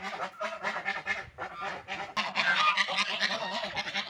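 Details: Several ducks feeding and drinking water keep up a steady chatter of rough, nasal honking calls, rapid and uneven, growing denser and louder partway through.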